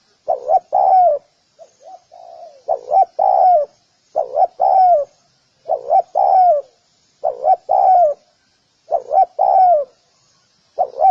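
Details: Spotted dove giving repeated mellow coo phrases, two quick notes and a longer falling coo, about seven times with a softer variant near the start.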